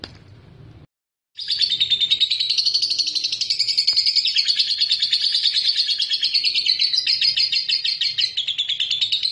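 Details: Lovebird ngekek meant to provoke rivals: after a moment of silence, a long rapid high rattle-trill starts and carries on continuously, pitch drifting up and down slightly.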